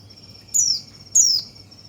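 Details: Song of a white-eye, played to excite other birds: two bright, sharply falling high notes half a second apart, with a continuous faint piping tone underneath.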